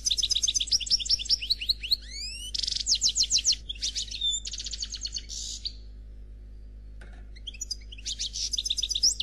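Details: A black European goldfinch delivers flawless Khalwi song: long run of high twittering, rising slurs, buzzy rattles and repeated trills for nearly six seconds, a pause with a single soft note, then renewed fast twitter at the end. Low hum throughout.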